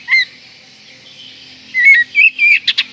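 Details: Oriental magpie-robin in breeding condition, singing richly to provoke rivals: a short whistled note, a pause, then a quick burst of sliding whistles and sharp clicks near the end, with faint steady hiss behind.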